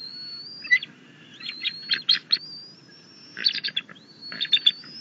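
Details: Young bald eagle at the nest, June 10, 2021, claiming a rabbit from its mother and seemingly wanting its father gone; a loud, long, high steady whistle is broken by bursts of rapid chattering notes.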